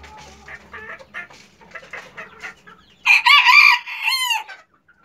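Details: A hen calls while laying an egg. Soft, uneven clucking runs for about three seconds, then loud nasal squawks follow, the last one sliding downward.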